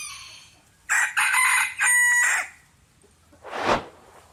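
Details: Tiny rooster, called the smallest ever found, crows loudly in a broken, harmonic cock-a-doodle-doo of about one and a half seconds, followed by a brief hissing whoosh of noise.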